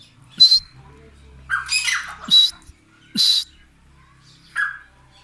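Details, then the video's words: White francolin giving loud, harsh, squawking notes in a loose series, one longer grating phrase in the middle, and brief shrill rings between softer lower notes, with a low hum beneath. "Irani teetar voice | White francolion voice | safeed titar voice"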